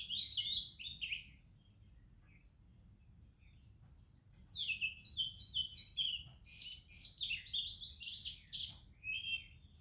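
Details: Oriental magpie-robin in India singing in the morning among other birds: a short whistled phrase, a lull, then a dense stream of sweet sliding whistles and chirps above a constant high hum.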